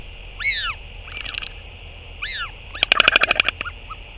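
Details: Northern royal albatross, parent returning to feed its chick, dated 08 06 2023. Loud arched wailing calls, then a rapid burst of sharp clattering pulses lasting under a second, over faint hum.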